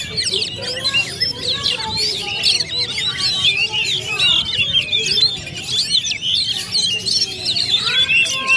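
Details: Oriental magpie-robins dueling at a competition area, a continuous chorus of varied whistled phrases and clipped chirps from multiple birds, with a few lower calls and a soft background hum.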